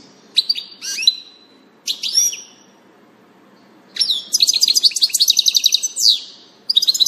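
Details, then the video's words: European goldfinch, 19 June 2018: sharp swept call notes at the start, then a long bubbling stretch of rapid, metallic twitters and trills, ending with a brief fresh burst. "Distelfink Stieglitz Goldfinch"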